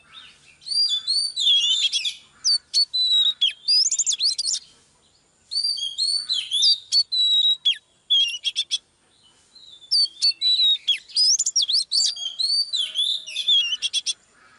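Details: Female Oriental magpie-robin, heard live as she stirs a male into excitement, delivers three long bouts of rich varied whistling mixed with rapid clicks and chatter, separated by brief pauses.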